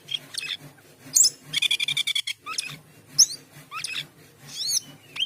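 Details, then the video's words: Busy Asian pied starling song: whistled slurs, a rattling burst of rapid notes, and descending squeaky whistles, all over a steady low mechanical hum. "Cucak keling gacor teler"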